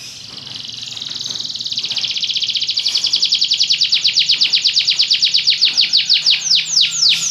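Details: Belgian canary song building from a soft high warble into a rapid rattling trill that slows near the end into separate, sharply falling whistled notes.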